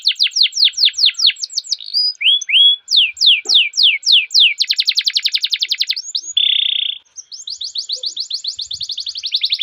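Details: Canary singing a long rolling song used as a lure to train young canaries: fast series of high, sweeping downslurred notes, shifting into rapid buzzy rolls, a brief flat buzzy note, then more quick repeated trills; clean background.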